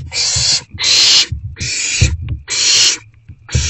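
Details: Owls at a nest box during an evening rodent delivery, 29 March 2024. Four loud, drawn-out hissing bursts, each about half a second long, come with short pauses between them, over soft low thuds.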